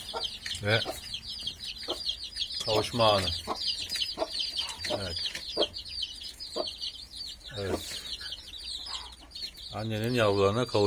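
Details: Brood of turkey chicks with their mother hen in a coop: a continuous stream of high, thin, falling peeps runs beneath a man's frequent speech.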